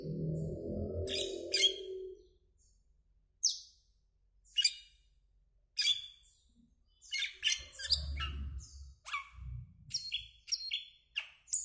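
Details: Asian glossy starling, greenish black bird, uttering scattered shrill high squeaks and sharp chirps, spaced then quickening into a rapid jumble, with a low rumbling noise at the start and brief murmurs in between.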